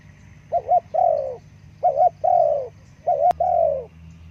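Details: Spotted dove cooing used as a lure for forest birds: three phrases, each a quick wavering double coo followed by a longer, slightly falling coo, over a low humming background with one sharp click.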